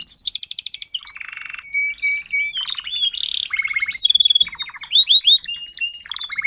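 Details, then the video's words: Timbrado canary, adult tutor singer teaching young canaries: a varied run of rolling trills, clear whistles and chattering phrases, changing pitch every second or so. "TIMBRADO KANARIEN (gesang)"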